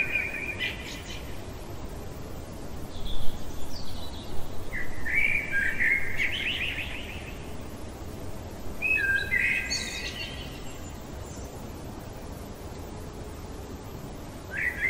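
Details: Common blackbird in full nocturnal song, delivering three separate melodious fluted phrases with high chittering ends, spaced several seconds apart, then the start of a fourth, over a soft constant hiss.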